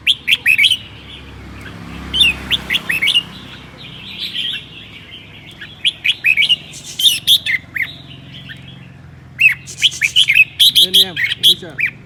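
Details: Red-whiskered bulbul from Son La, called a seven-claw warrior, singing on a cold day: repeated phrases of sharp, bright chirps and whistles, dense bursts near the start and end, with a low background murmur.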